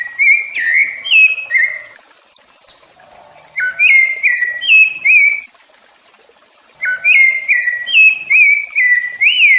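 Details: Rufous-bellied thrush singing, used to teach and stimulate young and adult birds: clear whistled phrases around two to three kilohertz-like mid pitch, short slurred notes in bursts separated by pauses, with a high thin note between phrases.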